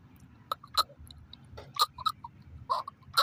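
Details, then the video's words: Chukar partridge in Pakistan giving sharp, clucking chuck notes, single or in quick pairs, irregularly spaced over three seconds, with a low rumble underneath. "Kiklik Voice Sound Shikari chakor ki awaz"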